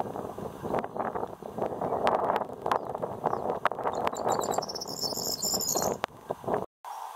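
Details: Corn bunting singing in a hedge near Wrestlingworth, Bedfordshire, UK, 16 May 2020: a short, high, jangling song of quickening ticks ending in a glassy rattle, with strong wind rumble and buffeting throughout.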